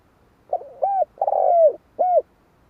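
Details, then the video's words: Spotted dove giving one cooing phrase: a soft opening note, a hollow arched coo, a long burry coo that slides downward, then a short final coo, all low and mellow against a quiet background. "Tiếng chim cu"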